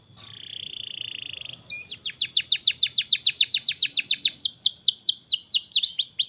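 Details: Vigorously singing canary, used as a song tutor for young canaries: a steady, buzzy trill held for over a second, then a long series of bright, sharply dropping notes repeated roughly four times per second.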